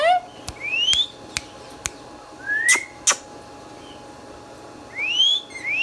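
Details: Green Indian ringneck parakeet kept as a talking pet bird, giving clear rising whistled sweeps, several sliding up in pitch, with sharp clicks between them and a steady faint hum behind.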